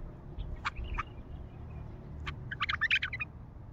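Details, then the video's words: Raw, heavy-throated song of a bulbul: a few short, throaty notes, then a quick bubbling burst of rich chattering phrases over a low background rumble. "تغريد بلبل خام حنجره ثكيله"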